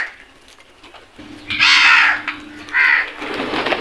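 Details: Crows at food in a flock, two rough, broad caws a second apart over a low steady hum and background noise.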